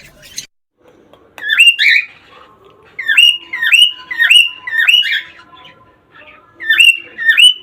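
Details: Cockatiel whistling played to encourage mating: loud rising whistles, each sweeping upward and then holding, given in bursts of two to four with short pauses between them. A faint steady tone sits underneath.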